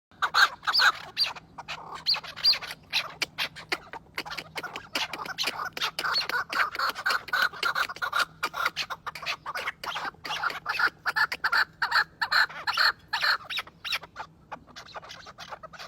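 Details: Chukar partridges, many birds in a captive breeding flock, give rapid, harsh clucking calls together in a busy chorus.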